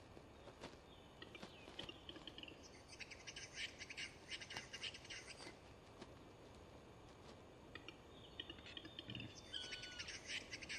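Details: Eurasian capercaillie lek in courtship season, recorded on film in the early 2000s: rhythmic, rasping whetting phrases in rapid bursts over a steady background hiss, with a brief whistled note near the end.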